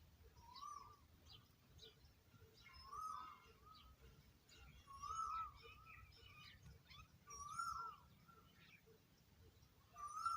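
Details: Oriental magpie-robin with its babies at feeding time: short chirping notes with a bright upper overtone, repeating in loose bursts about every two seconds over soft background rumble and faint higher twitters.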